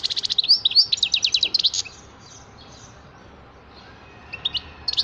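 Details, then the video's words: European goldfinch singing a rapid, rattling run of high tinkling notes for nearly two seconds, then falling quiet before a few scattered twitters near the end. "تغريد حسون رائع"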